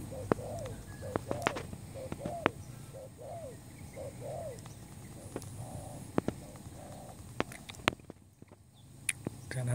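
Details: Spotted dove, a new bird kept as a lure for trapping, giving a series of soft, hollow, arched coos in short repeated phrases. Sharp clicks and tapping sound throughout over a low rumbling background.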